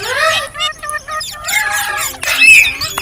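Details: Ringneck parrot making funny sounds: drawn-out whistled notes gliding slowly downward, broken by short gaps, then a shrill buzzy squeal near the end.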